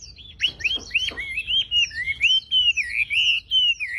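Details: Javan pied starling singing a lively run of looping whistled notes rising and falling between phrases, each one quick and clear, with a faint harsh rasp near the start.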